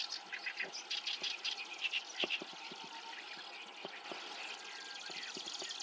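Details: Breeding-season black-browed reed warbler in Japan giving a quick burst of high chattering notes for about two seconds, then fading into a softer, hissy background.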